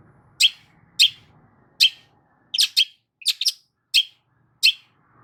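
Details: Harsh long-tailed shrike song intended to draw a silent shrike into song: single and doubled raspy chack notes roughly every half to one second, over a faint low background rumble.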